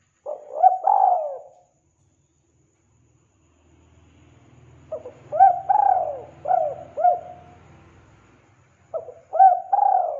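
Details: Spotted dove used to attract wild doves, cooing in three bursts of soft, rising-then-falling notes separated by long pauses, with a faint low rumble during the middle silence.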